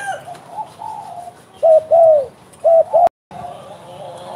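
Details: Spotted dove giving two low coo pairs, each a short note then a longer falling hoot, over faint background cooing and hiss. A brief cut of silence follows.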